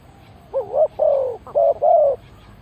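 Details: Spotted dove cooing as a decoy to lure wild birds: two low hollow phrases in quick succession, each a short wavering note followed by a longer, slightly falling coo, over quiet background.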